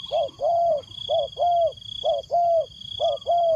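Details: Decoy spotted dove cooing to lure wild doves: low, mellow coo notes in pairs, a short note then a longer slightly arched one, repeated about once a second, over a steady high electronic whine.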